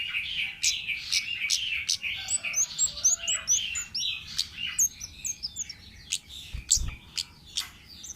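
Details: Wild orange-headed thrush in full, rapid song: dense, varied chattering phrases of buzzy notes, trills and high chips tumbling quickly, with a brief low thump near the end.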